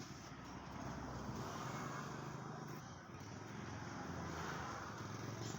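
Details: A steady roar of passing vehicles and engine rumble outdoors, with no animal voice.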